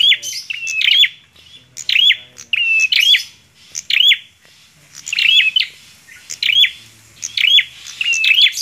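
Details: A bar-winged prinia in full, vigorous song to challenge another prinia, giving harsh buzzy phrases, each a quick rising-then-falling twang, about once a second.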